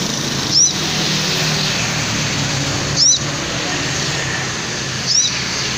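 A hummingbird gives three thin, high, upslurred chirps about two seconds apart over a steady background hiss of traffic-like noise.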